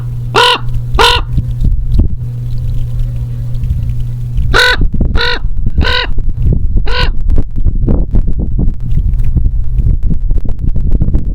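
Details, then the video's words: A black crow, possibly a raven, flies in and gives harsh harmonic caws: two at the start, a pause, then four more between about 4.5 and 7 seconds, over a steady low hum and rumbling. "A Crow or Raven?"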